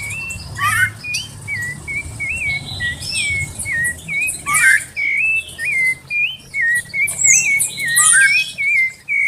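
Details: Sabiá (thrush) warming up its song: short, fluty whistled phrases that wobble up and down, given in bursts about a second apart over a steady low hum.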